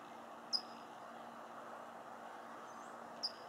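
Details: Near Fairfield's Suisun marsh in California, a California towhee gives two piercing, high chip notes roughly two and a half seconds apart, each a short downslurred tick, with constant low droning hum beneath; recorded with a Panasonic V500 camcorder.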